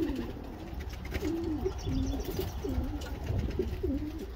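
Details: Racing homer pigeon cooing: a series of low, soft rolling coos, each a brief wavering phrase, repeated several times over about four seconds against a steady low rumble of background noise.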